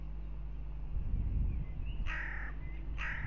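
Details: Hooded crows fighting at a goshawk nest in Riga, Latvia, on 10 April 2021, captured by a nest camera: two loud, harsh, grating caws about a second apart, over a steady low hum.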